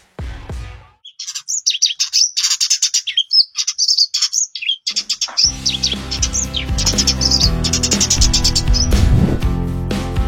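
Eurasian Tree Sparrow giving rapid, bright, unmusical chirps in quick irregular bursts; background music comes in about halfway and plays beneath the chirping.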